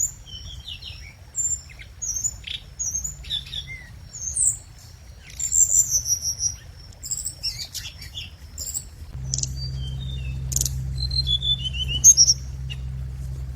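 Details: Lure song of the scarlet minivet: thin, high chirps and quick slurred whistles in loose phrases, with a steady shrill tone early on and a low hum rising in the second half.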